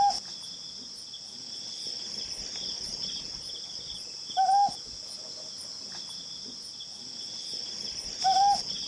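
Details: A Ryukyu scops owl, recorded in July 2020, gives a short, slightly rising hooted note about every four seconds over a steady high chorus of insects.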